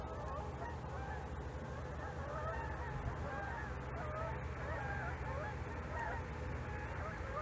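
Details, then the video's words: Flock of Canada geese calling while flying overhead during a snow storm, watched by a snowy owl; many overlapping honks run throughout, with steady low wind rumble underneath. "observing Canada Geese (natural audio)"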